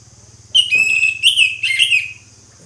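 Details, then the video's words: Orange-headed thrush singing in the ngeplong style: a loud, clear whistled phrase of slurred, falling notes lasting about a second and a half, over a faint low hum. "ANIS MERAH NGEPLONG, SUARA ANIS MERAH NGEPLONG"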